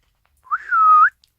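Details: Isabelle pearl cockatiel with a well-developed crest, a pet filmed indoors on 25 December 2017 in winter, gives one clear whistled note about half a second long that rises briefly, holds level and lifts at the end, followed by a faint click.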